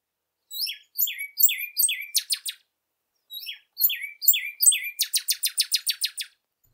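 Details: Northern Cardinal, possibly a female as a viewer noted, sings twice: a few clear downslurred whistles then a fast run of sharp, buzzy notes, with a short silent pause between phrases.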